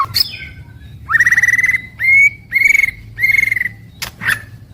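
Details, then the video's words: White-rumped shama song: clear, sustained whistled notes held level, repeated in four phrases roughly a second apart, each introduced by a brief sharp chirp, with a quick high note at the start and end. "Suara Harian Paling Stabil untuk Murai Batu"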